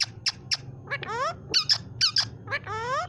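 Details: A trained green parrot kept as a pet in Pakistan repeating "mian mithu Allah ho": rapid sharp clicks alternate with short, wavering, voice-like phrases, all in a small quiet room.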